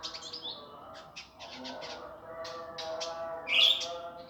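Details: Indigo flycatcher master recording in a harsh, rapid style: clusters of high, scratchy and buzzy notes, ending in a loud rising whistled phrase, with a continuous low hum behind.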